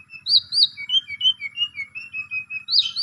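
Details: Asian pied starling singing, meant as a lure to get a sulking starling to sing: loud looping whistles followed by a rhythmic string of thin, level whistled notes, ending in a sharp rising squeal.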